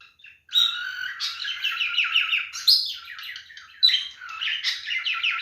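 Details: Male cockatiel mating song: a quick series of downslurred chirps and warbles with louder whistled accents at intervals, filling most of five seconds after a brief quiet start.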